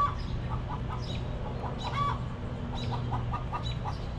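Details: Flock of backyard chickens in a cozy coop clucking. Brief clipped notes come in scattered pairs and triplets, one slightly louder cluck near the middle, all above a constant low droning hum.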